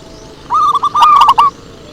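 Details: A single phrase of zebra dove lure song: about a second of quick, bubbling coos at an even pitch, punctuated by four sharp clicks, then quiet.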